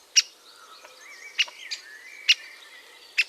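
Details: Great spotted woodpecker at the nest calling sharp, explosive 'kik' notes, four in just over three seconds, at irregular intervals, while other small birds whistle and twitter softly behind.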